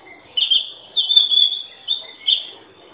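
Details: Oriental magpie-robin singing four ringing whistled phrases, some held and others short, each about half a second apart, with a soft lower note before the first phrase.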